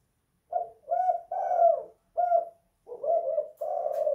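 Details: Spotted dove singing inside a house in the kuk 2 / guk 1 pattern. Short soft coos build into a longer throaty note, then more clipped coos follow, ending in a sustained mellow coo.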